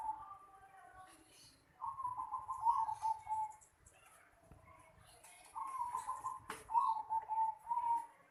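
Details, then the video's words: Two long, bubbling coo phrases from a zebra dove in a house yard, each made of rapid low notes that slightly fall, with one sharp click between them. "Suara burung perkutut di halaman rumah"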